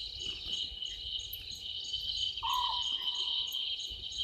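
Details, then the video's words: At night by Gowrie dam on Djuma Game Reserve, Sabi Sand Wildtuin, South Africa, a small owlet in a tree gives a single short, low trilled note that sags in pitch. A dense, shrill cricket chorus runs throughout. "Small Owlet in tree"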